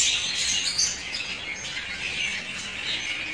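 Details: African lovebirds, a breeding pair kept at home, give dense, continuous high-pitched squawks and chirps that overlap in a busy, irregular chatter throughout, with no other clear sounds.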